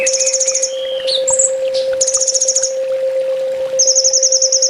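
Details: Master training song of a sunbird, full tembak style: long, very high buzzy trills repeated in runs, broken by short whistled notes and chips, with a constant mechanical hum underneath.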